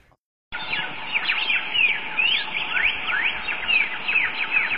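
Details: Samyong bird singing in the forest: a dense, continuous run of quick whistled chirps and sweeping up-and-down notes, with the phrases overlapping and repeating rapidly against a steady low background hiss.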